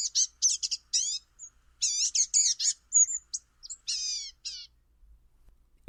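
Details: Blue-gray gnatcatcher at Dogwood Canyon Audubon Center, Cedar Hill, Texas, singing its warbling-and-whining song: a thin, high jumble of squeaky warbles and whiny notes in quick bursts, with brief pauses between phrases.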